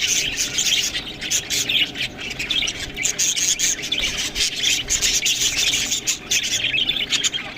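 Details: A group of pet budgies eating greens gives continuous busy chatter: quick shrill chirps and scratchy squawks overlap, with brief higher whistled notes around the middle.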